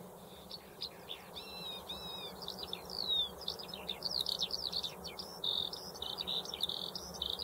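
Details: Eurasian skylark singing a fast, unbroken stream of high warbled, chirped and trilled notes that rise and fall without pause, growing louder midway, over a faint low steady hum.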